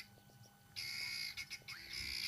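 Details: Guineafowl below a raptor feeding on a small bird give alarm calls of harsh, grating, rattling squawks, nearly continuous with a few brief breaks; this alarm also warns of leopard, lion or cheetah.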